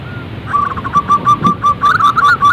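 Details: Zebra dove giving a rapid string of short, clipped coos, steady at first, then breaking into quicker, slightly higher rolling notes at the end.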